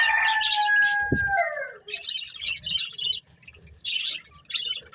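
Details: Pet budgerigars, a breeding pair: a clear, drawn-out whistle that slides downward, with a sharp click partway through, then bursts of scratchy, buzzy chirping chatter broken by brief pauses.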